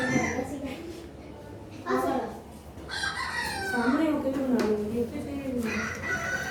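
A rooster's crow, a single drawn-out harmonic call rising then falling, plays thinly from a phone. A woman's voice and children's chatter surround it.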